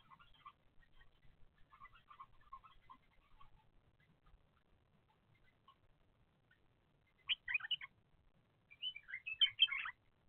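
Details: Bulbul nestlings, watched on a surveillance camera as they grow from egg to fledging, give faint high chirps early on. Two louder bursts of rapid, scratchy chirping follow, with a quiet pause between.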